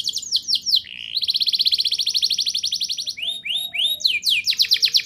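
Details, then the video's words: Canary singing to prompt young canaries: descending slurred notes, a long rapid rolling trill, rising whistles, then fast bright trills, with a faint low hum throughout. "Suara Burung Kenari Gacor Ngerol Nembak! Ampuh Untuk Pancingan Kenari Paud Biar Bunyi"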